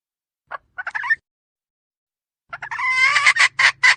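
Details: Female red junglefowl luring call used to attract wild birds: a few short chirps, a pause of over a second, then loud harsh rasping notes in an uneven series with a low hum behind.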